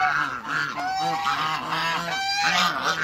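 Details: Backyard pair of African geese, housed with other waterbirds, honking almost without pause: overlapping, nasal, rising-and-falling honks that form a continuous loud chorus.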